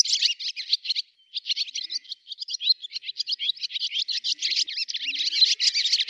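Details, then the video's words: Continuous quick twittering from a swallow: dense warbled high notes, a brief pause after the first second, then an unbroken chatter to the end. "Ласточка. Голоса птиц Росии"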